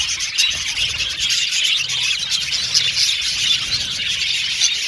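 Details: Colony of male blue and violet budgies in an aviary, an even, unbroken wash of high chirping and warbling from many birds, with a few brighter squeaks on top.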